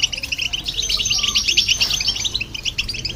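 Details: Goldfinch song with a hybrid, aimed at stimulating other birds; short, rapid run of sparkling chirps and twitters, evenly paced and continuous.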